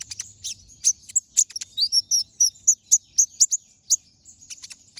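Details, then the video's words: Brown-throated sunbird in full ngobra song with sharp shot notes, recorded as a master for other birds; high chirps and squeaky whistles come about twice a second in an uneven chattering flow. "Pancingan Suara Burung Konin Gacor Ngobra Tembakan Tajam"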